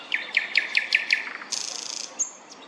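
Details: Thrush nightingale, a small inconspicuous bird, singing loudly in a city centre on 25 May: six evenly spaced clicking notes, then a harsh buzzing rattle and a thin high whistle.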